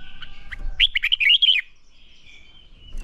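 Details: Red-whiskered bulbul singing a fighting song during training meant to stir it into song: a brief burst of bright, warbled notes after a few faint opening chirps, followed by a faint lingering whistle.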